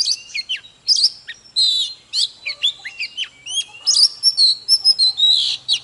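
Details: Singing and dancing Oriental magpie-robin gives a dense, fast string of whistles. Sweeping slurs, high sharp notes and rich warbled phrases follow almost without pause.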